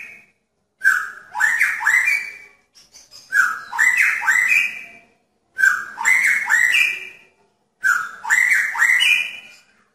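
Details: A caged male magpie-robin courting a female in a pairing cage gives four loud phrases about two seconds apart, each opening with a whistle and sliding up into bright, rising, warbling notes. Brief gaps of silence fall between them.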